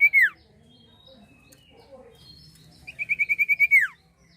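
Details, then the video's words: Common iora song used as a lure for birds: a loud downslurred whistle, then after a quiet gap a fast run of about eight short repeated whistled notes ending in a falling slur. "sirtu gacor atau cipoh gacor efektif pancing burung anda"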